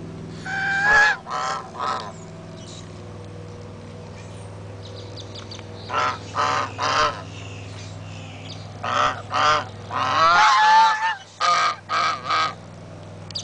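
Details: Loud geese at Big Cypress honking in irregular bursts: clusters of two to four harsh, nasal honks separated by short pauses, some overlapping calls from several birds, a steady low mechanical hum in the background.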